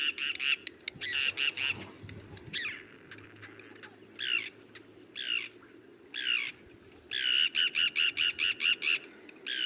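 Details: A migratory common tern in Sri Lanka gives harsh, rasping, high calls in uneven bursts, ending in a quick run of about two notes per second, over a low steady rumble.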